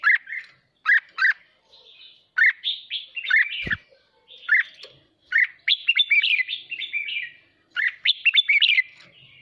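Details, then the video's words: Excited caged red-whiskered bulbul singing the chattering 'hót ché' style to spur competitive singing: short bright whistled phrases repeating every second or two, building into a longer rapid run, with one low thud. "Chào mào hót kích bổi ức chế căng lửa hót ché"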